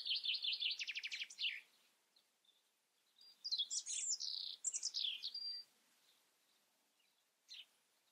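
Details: European robin song beginning with a quick rattling trill and warble, then after a pause a sweet descending run of high whistles, ending with one isolated thin note.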